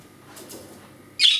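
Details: Caged pet budgerigar that cannot fly after hurting its wings, demanding attention when its owner slips behind a ledge. After a quiet stretch comes a single loud, rasping "kärrö" squawk.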